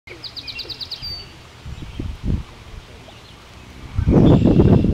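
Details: Song sparrow singing. An opening run of about seven quick, evenly spaced high notes leads into a short buzzy trill. Soft rustling follows, then a loud burst of rumbling noise near the end.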